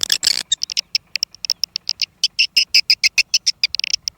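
Swiftlet: a fast series of dry, high clicks and chirps, about six per second, sharp and metallic, after a brief burst of hiss.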